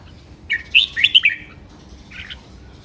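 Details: Red-whiskered bulbul singing a training song with sharp, melodious phrasing: a quick run of clear whistled notes mid-clip, followed by a softer, shorter chirped phrase.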